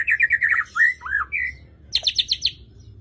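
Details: White-rumped shama in lively song, said to be ready for competition: a quick run of buzzy mid-pitched notes, a few clear rising and falling whistles, then a fast burst of high, ringing notes.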